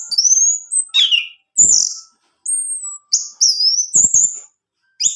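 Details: Pet orange-headed thrush singing, a recording meant to make a male sing: high slurred whistles, some rising and some falling, delivered in separate short phrases with soft clicks between.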